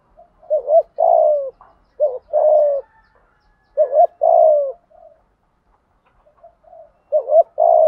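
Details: Lure cooing of a spotted dove meant to provoke decoys. Paired quick hiccuping notes lead into a longer burry coo, repeated four times at irregular intervals, with faint scattered notes between phrases.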